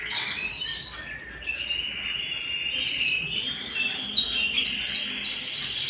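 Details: Domestic canary song indoors, a busy stream of high twittering trills that shift between rapid rolls and sweeping notes, steady and unbroken throughout.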